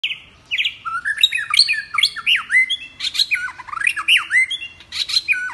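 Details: White-rumped shama singing varied wild-style phrases that change continuously: rich whistled notes sweeping up and down, mixed with buzzy rattles and sharp high chips, delivered in a steady unbroken stream.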